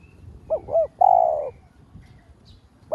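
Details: Spotted dove lure song meant to excite other doves. Two quick arched coos run into a long, flat, burred note, then silence. Another phrase begins at the very end.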